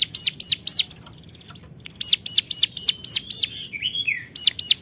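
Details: Hill prinia calling out to a rival, a rapid string of sharp high arched notes in short runs, with a thin rattling buzz between runs and a lower slurred whistle near the end.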